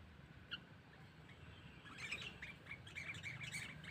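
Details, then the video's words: Lure calling of a sooty-headed bulbul meant to attract wild birds: one early chirp, then from the midpoint a quick series of short clear notes repeated about three times a second over soft background hiss. "Suara Burung Kutilang Pikat Cengkeram"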